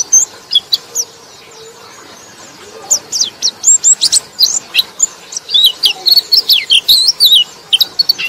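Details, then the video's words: White-eye song meant as a lure for sluggish white-eyes: sparse high chirps at first, then a dense run of thin, rapid, high-pitched twittering notes, slurred up and down, filling the second half. "KICAU BURUNG PLECI - Untuk Pancingan Burung Pleci Lelet"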